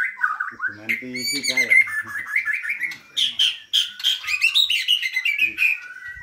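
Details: Caged white-rumped shama in vigorous song: rippling whistled notes mixed with harsh buzzy bursts, then a rapid chain of bright chirps, some louder and higher, continuous throughout.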